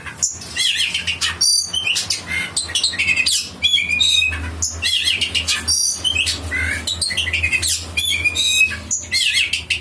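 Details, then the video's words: Striated grassbird song to prompt a kept bird: a fast, busy stream of harsh chattering and scratchy notes mixed with short whistles, continuous for ten seconds over a low hum. "dijamin burung kacermu langsung bunyi....dengan pancingan ini"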